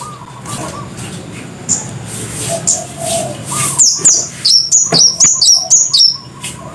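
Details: Cit kersen, the scarlet-headed flowerpecker, calling loudly: after faint scattered notes, an accelerating string of about eight sharp, very high, clipped chips, each dropping slightly in pitch, over low background hiss.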